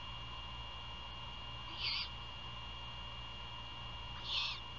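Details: Great horned owl at a nest near Savannah, Georgia, at 1:38 AM on 27 February 2022 during a prey handover outside the nest, giving two short, harsh, high-pitched screeches about two and a half seconds apart, over a steady electronic hum.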